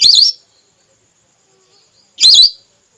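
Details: Red whistling duck female lure call used by hunters. Two loud, trilling whistles sound a little over two seconds apart, with near silence between them.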